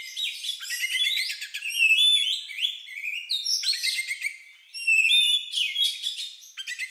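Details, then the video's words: Oriental magpie-robin with an unusual song likened to a lovebird's, used to prompt other birds to sing: varied whistled phrases, rising slurs and buzzy trills tumbling in bursts, a short pause near the middle, then more clear whistles. "Suara Burung Lagu Unik Kacer Ini Cocok Untuk Pancingan"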